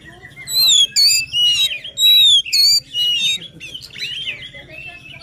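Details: White-rumped shama delivering loud pure whistles, each long and wavering, separated by brief gaps, then softer twittering; meant to encourage a quiet shama to sing.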